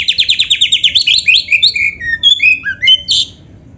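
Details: Oriental magpie-robin, known locally as kacer, in gacor full isian song: about a dozen quick repeated notes at a steady pulse, then a string of rising and falling whistles ending in a harsh note.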